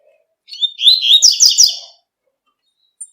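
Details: One long tui tui phrase from a double-collared seedeater singing in nature, with high whistled slurs that speed into repeated chattering notes, followed by a faint single chip.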